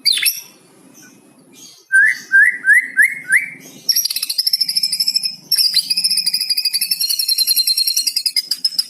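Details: 'Isian cucok cungko' song of a White-rumped shama, played to coax non-singing shamas: five quick upslurred whistles, then a long rapid trill of high, ringing notes.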